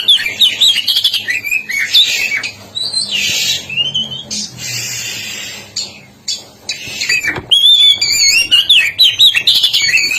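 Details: Black-breasted oriental magpie-robin from East Java singing hard, with lively warbled and whistled phrases at the start and end and harsher, noisy squawking notes in between.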